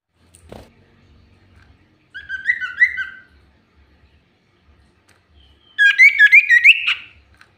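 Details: Energetic common iora lure song: a cluster of slurred whistles with a buzzy edge, silence, then a louder burst of rapid rising and falling whistled notes; a sharp tap is heard near the start.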